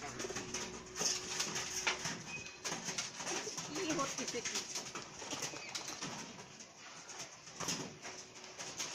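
Pigeons scuffle with sharp, repeated wing claps and flurries of flapping, with faint cooing underneath.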